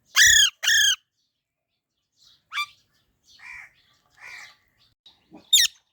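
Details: Baby parrot opens with two loud, rich, arching squawks in quick succession, followed by a few quieter, scattered chirps and one sharp high note near the end.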